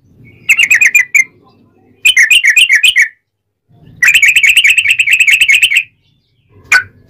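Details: Sooty-headed bulbul singing loud, continuous song with straw-headed bulbul-like phrases, meant to train and lure other bulbuls into singing: three bursts of rapid, chattering notes, the longest nearly two seconds, then a short final note.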